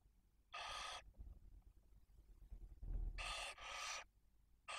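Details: Female barn owl with two newly hatched chicks at a nest in Cabañeros National Park, Spain, at feeding time; three to four harsh, rasping hisses, two back to back, with low rustling and knocking between them.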